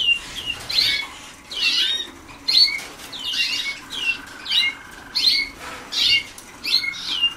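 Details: Young Waterslager canaries practising song in early training, 2010: about nine quick, uneven bursts of bright chirps and falling sweeps, roughly one per second. A faint steady lower trill runs beneath them.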